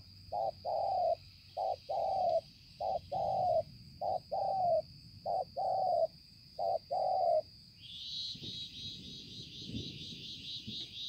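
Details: Spotted dove on 5 September 2020, uttering about eight rhythmic two-note coos, each a short note then a longer one, before falling silent; afterwards only a rising high hiss and low background noise remain.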